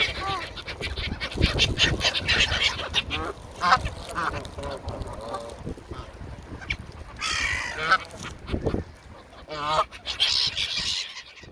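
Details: Canada goose screaming hungrily while feeding among seagulls; repeated raspy, harmonic honks and wavering squawks arrive in clustered bursts, overlapping high gull cries against constant low background noise.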